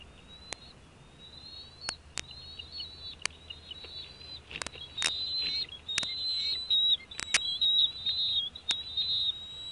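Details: Bald eagles at a nest in Northeast Florida on 14 January 2016, as a fish is brought in for two eaglets hatched in December; high whistled chittering, rising and wavering notes in quick runs, with sharp clicks throughout.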